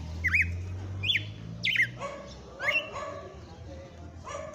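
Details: Red-cowled cardinal singing on a pleasant late afternoon: clear whistled, slurred notes that sweep down, sounded about once a second, with lower murmuring sounds behind.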